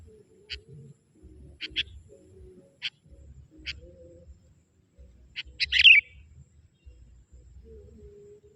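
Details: Wild bulbuls lured by a young forest sooty-headed bulbul: scattered short sharp chips lead into a dense, bubbly chattering burst, with a faint low background hum.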